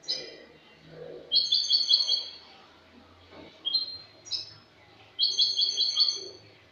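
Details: European goldfinch from Spain in cante limpio, the clean song style, dated 22 August 2018. Rapid high tinkling trills come in four bursts, brief chirps between the longer rolling phrases, with a quiet background.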